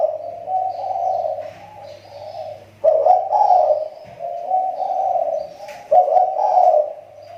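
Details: Spotted dove of the kepri type, kept as a lure bird and now sounding better after its voice had dropped, gives a steady series of throaty, rolling coos with brief gaps and louder accented notes, over a low background hum.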